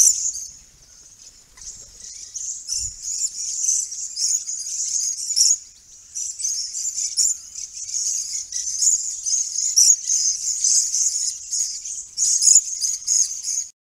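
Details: A Swift parrot visiting a property near Shepparton, where Grey Box trees are flowering after heavy rain and the parrot feeds on nectar, gives very high, thin metallic chattering and clinking notes almost without a break, rising and falling in bursts.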